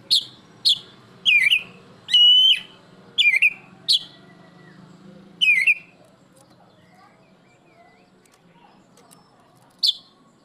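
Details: Black-breasted oriental magpie-robin in loud song: a few sharp whistled notes and slurred phrases in the first six seconds, then near silence until one final bright note, over faint low background hum.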